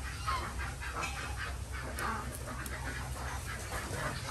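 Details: Village-farm Desi ducks in Andhra Pradesh, India, during morning egg collection, giving loud, hoarse, honking quacks in quick irregular succession, several birds overlapping, over a low continuous mechanical drone.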